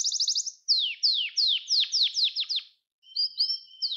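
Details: Gloster canary song meant to stimulate and train canaries: a quick trill followed by a run of about eight clear downward-sliding whistles, a brief pause, then high thin trilled phrases.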